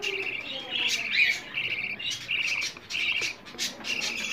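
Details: Hungry budgerigar chicks begging to be fed, a sound played morning and evening so budgies mate and lay eggs. Short, scratchy high bursts repeat roughly every half second, separated by quiet dips.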